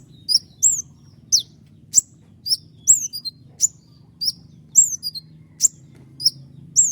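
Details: Actively singing common iora giving sharp, speedy 'tembakan' phrases: piercing high downslurred whistles alternating with dry snapping clicks, each note brief and spaced roughly every half second.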